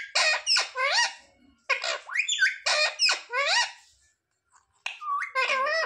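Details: Mimicking parrot, known for saying "mummy papa", produces bursts of nasal, squeaky speech-like syllables with wavering pitch, grouped in twos and threes, separated by short silences.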